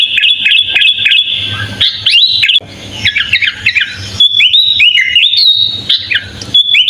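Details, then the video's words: Sooty-headed bulbul singing a full fill-in song, kept as a master recording for training other birds: loud, varied whistled phrases, some level and some sharply rising or wavering, broken by short pauses, with a low background hum. "Suara kutilang full isian"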